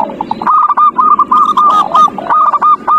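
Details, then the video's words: Zebra dove song played as a lure for a reluctant bird: a dense run of quick clipped notes and trilled coos from more than one dove, overlapping almost without a break. "Pancingan perkutut paling ampuh | perkutut males bunyi"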